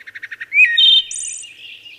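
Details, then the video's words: Five quick, evenly spaced low notes lead into a wood thrush's bright rising flute phrase and a high buzzing trill, trailing off in soft warbles. "Wood Thrush Bird Singing"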